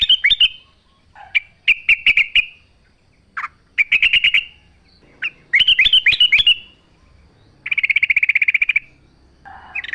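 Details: Sooty-headed bulbul singing outdoors, recorded as a lure to make other bulbuls answer. Quick chirps and short rattles give way to several fast bubbling runs and a long, even trill of rapid notes.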